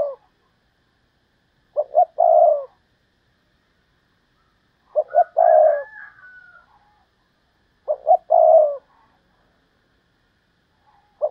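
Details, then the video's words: Spotted dove decoy bird, a fine singer: three cooing phrases spaced about three seconds apart, each two quick notes and then a longer mellow coo, with a faint higher twitter during the middle phrase. "Cu gáy mồi cây, hót hay 30 con có một"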